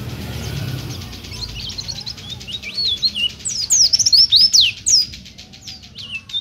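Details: Oriental white-eye singing gacor, used to tutor or lure birds. Steady broadband hiss at first, then sliding high whistles build into a loud, fast twittering phrase.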